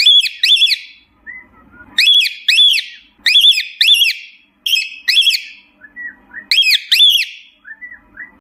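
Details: Pet cockatiel calling for companions: repeated doubled shrill whistles, each rising and dropping, in bursts about every second, with quieter soft whistled notes in the gaps.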